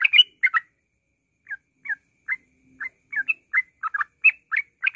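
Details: Yellow-vented bulbul in ngropel song, a lure to trigger singing: a burst of loud chatter, then a one-second pause, then clipped, slurred notes building into a faster bubbling run.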